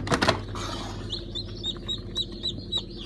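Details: Newly hatched domestic chicks, a hatch of 15 July 2019 from Fizan, Siyah Sultan, Silver Wyandotte and Brahma breeds; high, thin, falling peeps repeated several times a second over a steady low hum, after a brief rustle.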